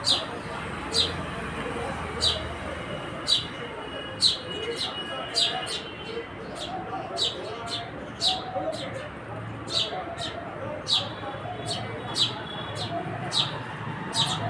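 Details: House sparrow (gauriya) calling with a long run of short, sharp chirps repeated roughly once a second, each a quick high note, against constant low background noise.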